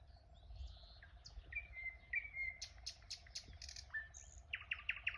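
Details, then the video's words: Birds singing on a fine village morning: soft distant chirps, a few sustained thin whistles, then a quick series of sharp repeated notes, over a low steady background hum. "Утреннее пение птиц"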